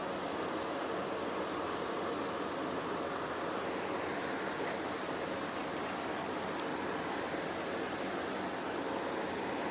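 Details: Steady broadband hiss and rumble, like passing traffic or surf, fills the whole stretch with no animal calls.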